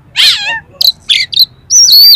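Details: Oriental magpie-robin in harsh-material song to raise another magpie-robin's excitement: a rasping buzzy note, two short scratchy bursts, then a bright sustained whistle.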